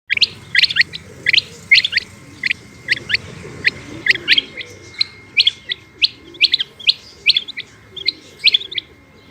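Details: Female Rain Quail (batair) calling: sharp, high chipped notes in quick pairs and triplets, repeated roughly once a second over about nine seconds, with a faint steady high hum running underneath.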